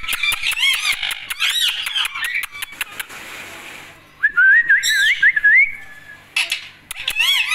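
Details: Indian ringneck parakeet: raspy speech-like chatter and clicks, a pause, then a wavering whistled phrase going up and down, then more chatter.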